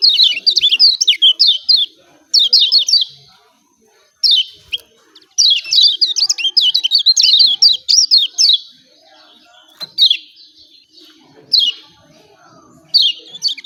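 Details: Lemon-bellied white-eye from Lombok, caged, calling an energetic "ciak ciak" meant to get lazy birds singing; repeated bursts of rapid high chirps separated by brief gaps over a long stretch.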